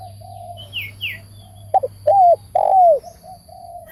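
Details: Decoy spotted dove for trap-cage luring, soft murmured coos, then a burst of two short notes and two long descending hollow coos; a few brief high chirps from another bird early on.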